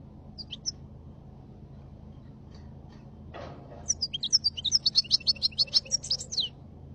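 A goldfinch gives a few high, thin notes, then a fast three-second run of bright, tinkling twitters. A single soft knock and a low background hum are also heard.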